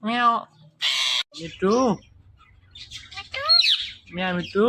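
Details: Indian ringneck parakeet, a talking pet: nasal speech-like syllables alternate with a harsh hissing burst, followed by arched harmonic calls, a high squeaky note and a final nasal word.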